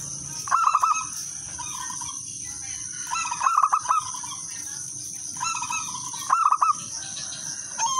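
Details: Singing local wild-type zebra dove, recorded as a lure to draw other doves into song. Four crisp bubbling trilled phrases at irregular intervals, softer coos in between, and a continuous high hiss.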